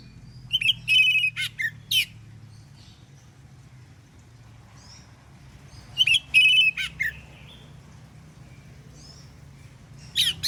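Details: Oriental magpie-robin in the morning, singing 'ngeplong' to provoke answers from other magpie-robins: phrases of high whistles and raspy notes come roughly every four to five seconds, separated by quiet gaps, with a soft low background hum.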